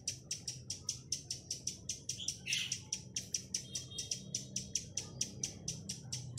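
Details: Lure chestnut-capped laughingthrush giving the 'tạch' song meant to attract wild birds: rapid crisp ticking notes repeated steadily, broken midway by one louder harsh burst before the clicking resumes.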